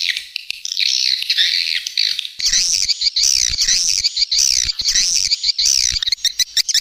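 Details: Swiftlet call played as a lure to attract swiftlets in the rainy season: a soft high twitter, then louder wavering chirps repeated in short bursts with brief pauses.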